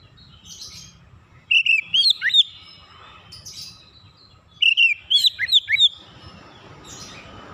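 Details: Oriental magpie-robin calling, recorded for therapy chirping: two quick runs of bright, squeaky whistled notes about three seconds apart, rising and dipping sharply, with a soft hum and light hiss in the background.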